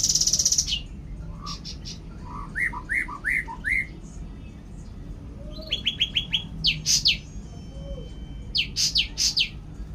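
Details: Cucak ranting singing a varied song: a high buzzy burst, then a run of short rising whistled notes around two to three seconds, later clipped repeated notes and loud sharp buzzy chirps, with low background rumble.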